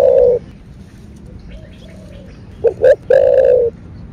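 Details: Spotted dove giving 'thổ bầu' style calling-and-urging coos meant to excite caged doves: the tail of a long low note, a pause, then two short coos leading into a sustained hollow coo.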